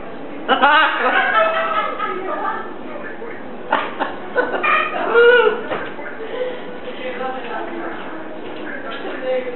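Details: Catablue macaw kept as a pet, chattering at length while watching television: a busy run of varied, voice-like syllables and warbling tones, loudest early on, with a faint hum of room noise throughout.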